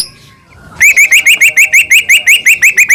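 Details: After a brief quiet start, a caged Medan-type white-rumped shama gives a rapid run of about fifteen identical rising whistled notes, evenly spaced and bright. The full-fill song serves as a lure to get other shamas to sing.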